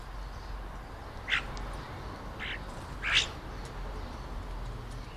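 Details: Three separate harsh, rasping squawks from a European starling copying the sounds of other birds, spaced a second or more apart, with quiet ambient noise between them.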